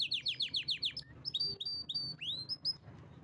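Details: Pet canary in a powerful song, opening with a quick series of descending chirps about five a second, then clear upslurred whistles and rising sweeps, loud and close over a soft low hum.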